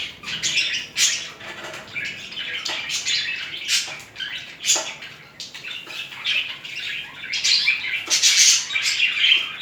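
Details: A pair of budgerigars mating and displaying romantically to each other: continuous scratchy warbling, clicks and chirps in an uneven rhythm. The chatter grows denser and louder toward the end.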